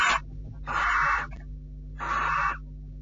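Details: Barn owls at a nest on 6 July 2013, mid-morning: the male visits and tries to nuzzle, the female rejects him. Two long rasping hisses, each around half a second, over a constant electrical hum.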